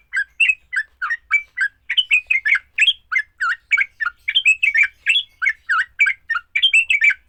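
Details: Sooty-headed bulbul pouring out its fighting song, used to get other bulbuls singing: a fast, continuous stream of bubbly chirps and slurred whistles, growing denser toward the middle.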